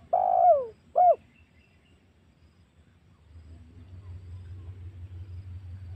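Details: Spotted dove lure call used to provoke wild doves for hunting, for use at home or in forest: two short hollow coo notes, the first longer and falling, then quiet with a low background rumble.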